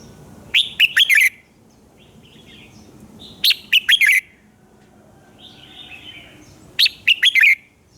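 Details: Red-whiskered bulbul singing at dawn in fired-up style: three loud bursts of quick, chirpy descending whistles about three seconds apart, with faint softer bird twitters between them.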